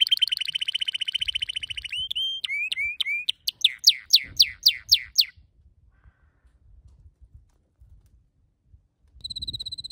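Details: Canary song opening with a fast buzzy trill, then short whistled notes and a run of loud, falling sweeps, followed by a quiet pause and another bright trill at the close.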